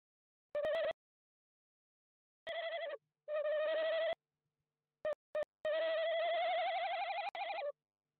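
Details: Tawny owl (Strix aluco) inspecting a nest box in De Mortel, Netherlands, 18 January 2021: nasal, wavering calls in short bursts ending in a long trembling trill, with sharp knocks and scrapes between them.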